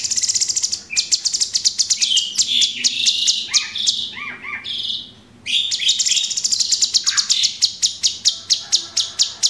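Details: Caged cucak cungkok, the Orange-bellied Leafbird, in a long 'tembakan' training song: rapid high clicking notes in a steady stream, a brief quieter lower warble midway, then the quick high ticking resumes.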